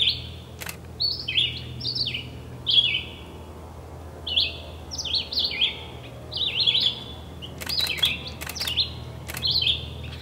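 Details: Red-eyed vireo at the Cornell Lab of Ornithology, New York, delivering short, high whistled phrases, each a quick slurred rise or fall, about one per second with brief pauses, plus a few sharp clicks.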